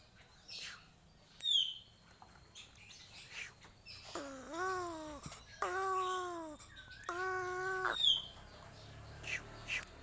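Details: Crow making an odd call described as strange: three drawn-out, nasal, wavering calls, the first dipping then rising, the next two level, with faint chirps and clicks before them.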